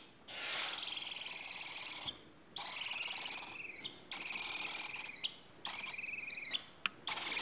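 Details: 10 Four-week-old barn owl (Tyto alba) chicks giving harsh, hissing snores, each a long rasping burst of about a second or more, repeated with short gaps.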